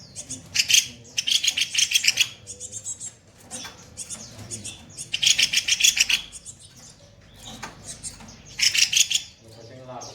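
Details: Kopi-kopi songbird recorded as a master for other songbirds, singing rough 'tembakan kasar' shots: four loud, buzzy, machine-gun-like bursts of about a second each, spaced a few seconds apart, with soft chatter between.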